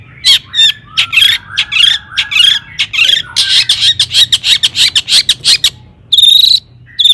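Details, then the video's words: Dense, scratchy chattering from a long-tailed shrike, played to excite other shrikes into song, with rapid rough notes running together, then a loud buzzy burst after a short pause. "cendet gacor AMPUH TOET TOET PANCINGAN CENDET AGAR BUNYI"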